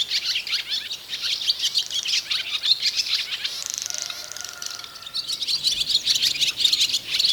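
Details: Singing barn swallow during pair formation, a song either sex may give; the male uses it to draw a female to his chosen nest site. Quick chattering twitter, a pause with a thin drawn-out buzz midway, then chatter resumes.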